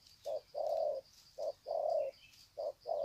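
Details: Greeting coos of spotted doves in long 'sạc gù' style, recorded at Sê San on 21 February 2020: rhythmic short-then-long low coos repeated about once a second, plus a steady high hum.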